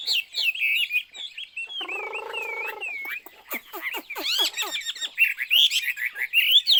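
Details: Chinese hwamei in full song, loud looping whistles and rapid slurred phrases, broken by a one-second harsh, buzzy, harmonic note, then fast descending sweeps and more rich warbling whistles.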